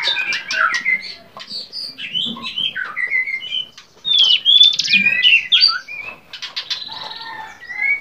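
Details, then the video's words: Varied song of a bar-winged prinia for training cage birds: scattered chirps, short whistled slurs and twitters, a brief pause near the middle, then a louder run of sharp warbled notes. "masteran cigun gacor variasi"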